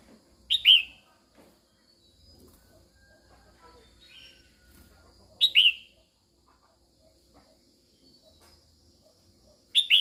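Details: A female red-whiskered bulbul calls to excite males, giving loud, clear, slurred chirping notes in quick pairs roughly every five seconds against a quiet background with faint soft sounds.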